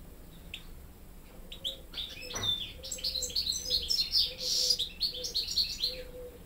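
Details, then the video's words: Young caged European goldfinch hybrids, raised hearing only goldfinches, take song lessons from a better-singing goldfinch tutor. Rapid high twittering starts after a quiet opening and grows denser and louder, with repeated faint low humming tones beneath. "Saka Melezlerim Ders Alırken"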